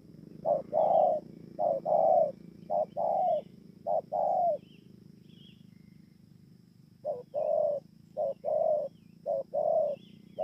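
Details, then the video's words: Recorded at Bờ Y, Kon Tum, on 28 November 2017, a spotted dove coos four low paired phrases, falls silent for a few seconds, then resumes with four more, while faint high chirps of other birds sound in the background. "CU GÁY"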